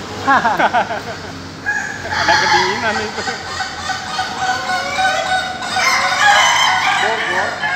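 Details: Ayam Ketawa, Indonesia's laughing chicken, at a group training session in a pen in Bogor: rapid stuttering harmonic syllables open the clip, then long overlapping crows from several birds, with people talking underneath.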